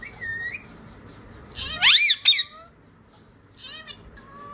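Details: Pet parrot chattering after seeing a phone: a brief whistled note, then a loud pair of strained, speech-like squawks in the middle, followed by softer rising chirps and a thin whistle in a quiet room.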